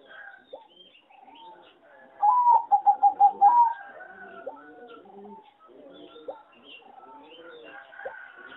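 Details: Singing zebra dove from a competition-breeding farm, judged a poor singer. A fast, evenly pitched burst of roughly seven short, clipped coos stands out from continuous soft cooing and chatter of many other doves.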